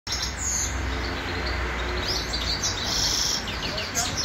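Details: Grey-crowned goldfinch singing in Khujand: thin, high twittering phrases and brief tinkling trills, loudest in the second half, over a steady low hum.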